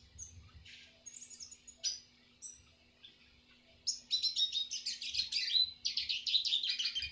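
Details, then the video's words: Eurasian siskin song used for training other birds: bursts of thin, high twittering and buzzy chatter from about four seconds on, fast and run together, after scattered short chirps, with a steady low hum underneath. "masteran burung retsiskin"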